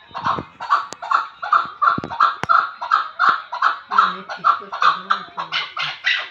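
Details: Chukar partridge repeating loud, even chuk notes roughly every third of a second throughout, while human laughter and voices join in over the second half.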